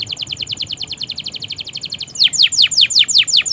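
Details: Training song of a canary for silent and young birds: a rapid, even trill of short repeated notes for two seconds, switching abruptly to louder, deep downward-sweeping whistles.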